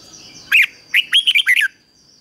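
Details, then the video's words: Trained decoy red-whiskered bulbul calling wild birds: a single note followed by a rapid run of four or five bright, looping whistled notes, loud and clear against a quiet background. "Chào mào mồi HÓT CHÉ GỌI BỔI CĂNG ĐÉT"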